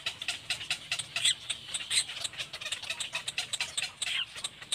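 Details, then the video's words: Mother and young Little black cormorant together; rapid scratchy chattering with short bright squeaks, pulses crowding one another and swelling louder near the middle, then continuing unevenly. "Mommy and baby Little black cormorant"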